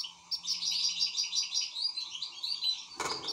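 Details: An excited European goldfinch keeps up a continuous, bubbling twitter of bright, closely spaced notes. Near the end a brief loud rustle sounds, possibly from wing flapping, over a low background hum.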